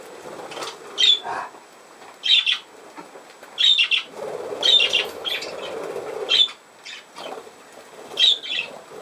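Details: A budgerigar on 17 November 2024 gives short bursts of bright chirps and squeaks about every one to one and a half seconds, with a softer low rustle in the middle.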